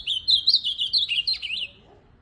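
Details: Ultramarine grosbeak, tournament bird: a quick, continuous warble of bright whistled notes that rise and dip, lasting about one and a half seconds before ending cleanly.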